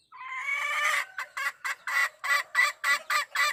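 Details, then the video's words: Wild hen calling to the rooster. A drawn-out, strained nasal note lasting about a second gives way to nine clipped, raspy clucks repeated roughly three per second. "suab poj qaib qus seev tau zoo heev 2021.tiếng gà mái gọi trống"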